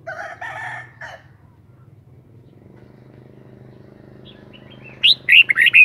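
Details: Red-whiskered bulbul singing: after a harsh, noisy chattering burst and a quiet hum, a quick phrase of four or five bright, warbling whistled notes arrives near the end.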